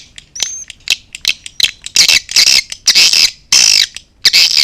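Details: Edible-nest swiftlet calling sound in A Leyung style, meant to attract swiftlets: scattered soft clicks and a thin whistle, then loud harsh buzzy chirps in half-second bursts.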